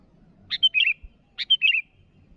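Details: Sooty-headed bulbul calling out to rivals: two lively phrases about a second apart, each a sharp chip followed by a bubbly run of whistled, slightly falling notes, over a faint low rumble.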